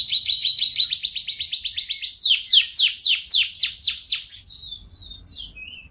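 Young canary practising song: a fast trill of high chips, then slower rasping down-slurred notes about three per second, ending in soft thin whistles.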